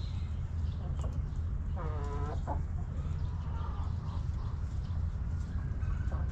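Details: Hens in a backyard coop cluck softly; one clear, drawn-out stacked cluck rises near the middle, with fainter clucks before and after it, all over a constant low hum.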